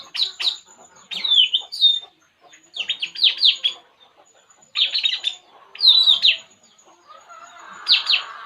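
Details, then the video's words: ['Puling bird at ease, uttering clustered high chirps and short downslurred whistles in separate bursts with quiet gaps between.'] "burung puling. Inilah yg dilakukannya saat santay"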